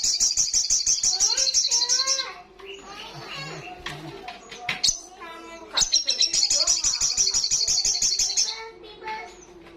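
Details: Olive-backed sunbird singing loudly in the ngalas style: fast, buzzy high trills of rapidly repeated notes, broken midway by lower warbled and voice-like sounds before the trill resumes.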